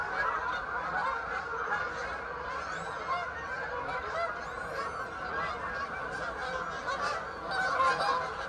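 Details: A large flock of Canada geese, an introduced species in the UK, passes over, a dense, unbroken chorus of overlapping nasal honks that swells slightly toward the end; Canada goose.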